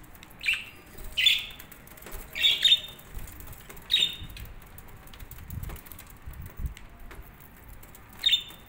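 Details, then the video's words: Budgerigars kept together in a colony setup, giving short bright chirps in scattered bursts about once a second, with soft wing and cage rustling and a low background rumble. "Budgies Relaxing Sounds"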